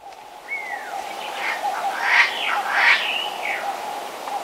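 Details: A double-spurred francolin gives its territorial call at Abuko Nature Reserve, The Gambia: harsh, grating notes rising and falling in a rough series, over a steady insect-like hum.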